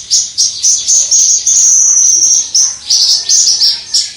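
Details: Caged Javan bush lark in vigorous 'crystal' song, recorded from a distance: quick high chirped notes that merge into a long ringing trill, then resume as rapid separate bursts.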